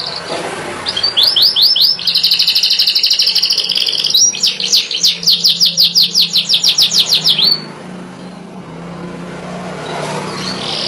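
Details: Yellow canary singing: a fast run of bright, metallic trilled notes, shifting between rolling phrases and repeated sharp chips for about six seconds, then quiet with faint traffic hum.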